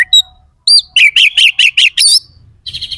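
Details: Oriental magpie-robin (kacer) delivering coarse 'isian kasar' song: a whistle and chirp, then six harsh, buzzy notes repeated in quick even succession, a sharp rising flourish, and softer rasping notes at the end.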